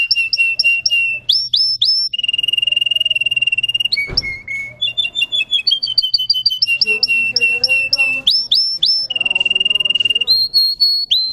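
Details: Russian canary bred for singing: a long, varied song of rapid repeated trills, sustained pure whistles and tumbling note runs at shifting pitches, with a brief click and faint low hum beneath.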